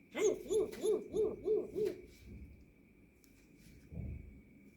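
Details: A grey parrot (Psittacus erithacus) imitates a dog's bark with five quick, hollow, rising-falling woofs, three per second, over a faint steady whine, followed by a soft thump.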